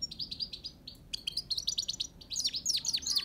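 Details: Lively Himalayan goldfinch twitter: a row of short high chirps, a pause, then faster liquid notes with downslurred, tinkling flourishes toward the end.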